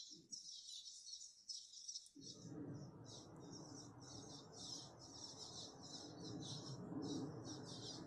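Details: Many cliff swallows at fledging time give a dense, excited chorus of squeaky, chattering calls over a steady background rumble, reflecting the excitement built up at a northeastern US colony.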